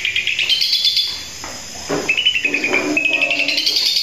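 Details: Cendet (long-tailed shrike) in full 'gacor' song: high, scratchy chattering bursts, then a level sustained whistle and rapid repeated chips, lively and varied throughout.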